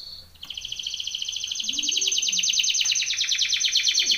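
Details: Training song of a canary: a sustained rapid trill rising in loudness after a brief opening note, with faint low murmuring beneath.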